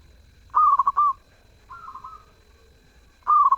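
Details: Zebra dove in melodious song: a loud burst of quick bubbling notes drawn into a long coo, a softer wavering coo, then the next loud phrase starting.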